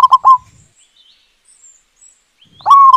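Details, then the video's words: Zebra dove, a local bird with a big voice, greeting the morning and singing from dawn until midday: a short burst of three soft rolling coos, then silence, then another drawn-out cooing phrase begins. "Perkutut Lokal Suara Besar Gacor Menyambut pagi ‼️ Dari Subuh Sampai Siang Hari"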